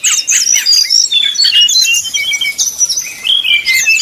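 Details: Ashy tailorbird whistling a rapid, unbroken stream of high thin whistles and sharp chirps, used as a fast lure to provoke and excite rival tailorbirds into full song.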